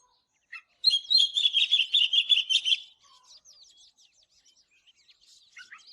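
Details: An Oriental magpie-robin sings in the morning: a loud, dense two-second burst of rapid whistled trills, followed by soft, quiet twittering notes.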